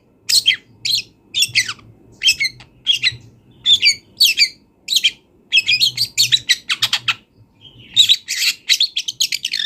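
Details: Wild long-tailed shrike singing a rich mimicking song for training songbirds: rapid scratchy chirps and squawks, dense bursts, a fast chattering run near the end.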